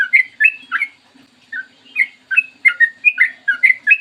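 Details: Bubbly chattering song of a Yellow-vented bulbul, in the long 'ropel panjang' style, in a clear morning recording. Quick slurred whistles come about two per second, with a short gap after the first second. A faint low hum lies underneath.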